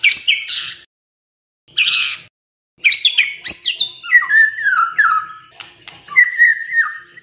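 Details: The song of a White-rumped shama, played to provoke other birds to sing, opens with two harsh rasping bursts and continues as a stream of descending whistled notes and clear sustained whistles.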